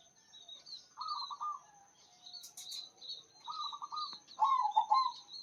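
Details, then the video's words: Local zebra dove, described as a big-voiced, active singer, gives three low stuttering cooed phrases, each a quick run of bubbling notes, while thin high chirps from other small birds run through the background. "PERKUTUT LOKAL GACOR SUARA BESAR"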